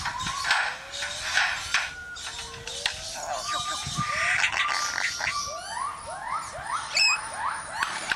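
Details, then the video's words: Lyrebird mimicking construction sounds: a jumble of noisy bursts and long tones, then a run of repeated rising swept notes like a tool revving, ending with sharp metallic high tones. "Lyrebird making construction noises"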